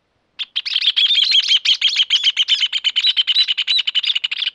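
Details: Rufous Hornero in Argentina: a dense, rapid, continuous chatter of harsh notes, steady and energetic for over four seconds.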